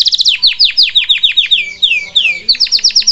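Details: Canary singing: rapid bursts of high sharp notes, then a run of longer downward-sweeping whistles, returning to quick repeated chips; a brief spoken word follows.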